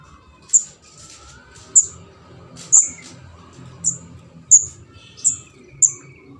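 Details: Begging juvenile orange-headed thrush of Java, known as ndas abang, used as a bird-catching lure. Seven shrill, very high squeaks at roughly one-second intervals, with faint lower chatter and steady low background noise.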